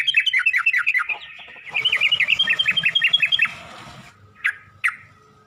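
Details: Yellow-vented bulbul in a training recording used to coax and teach other bulbuls to sing: two bursts of rapid, bubbly chattering notes repeated about four per second, then a pause and two sharp, short calls.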